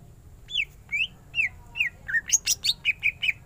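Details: Greater green leafbird singing: spaced, upward-slurred whistles about twice a second, then a quicker run of sharp, bright chirped notes, with a soft constant background hum.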